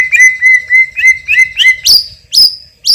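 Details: White-rumped shama, a champion bird with loud, strong song full of fill phrases, gives a string of about seven level whistled notes on one pitch, then three piercing, sharply rising high whistles.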